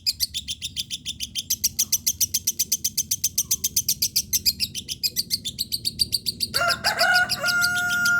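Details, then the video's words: Lovebird in lively song: a fast, even series of high sharp chirps, nearly four a second, then louder harsher squealing tones near the end. "Love Bird Tank Top"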